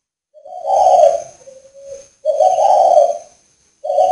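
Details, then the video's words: Northern Vietnam farm-bred male spotted dove giving its coo: two full, low, breathy coos roughly two seconds apart, the first followed by a quieter drawn-out tail, and a third coo beginning at the end. "chim cu gáy Tuyệt ĐỈnh miền bắc"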